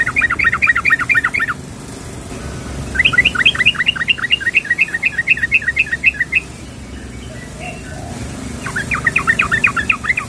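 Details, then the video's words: Calling female sooty-headed bulbul summoning a male: three bursts of fast, evenly spaced chattering notes, each a second or more long, separated by quiet gaps. "SUARA BURUNG TRUCUKAN BETINA MEMANGGIL JANTAN"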